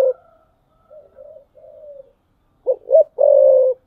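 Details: Decoy spotted dove on a perch, 'thúc bổi' cooing: several soft, low murmured coos, then a loud phrase of two sharp hoots and a long, steady rolling coo.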